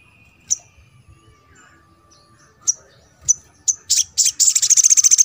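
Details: Crimson sunbird (sogon) sound for prompting silent birds to sing: spaced single sharp chips that come faster and faster, running into a quick, high, rattling trill at the end.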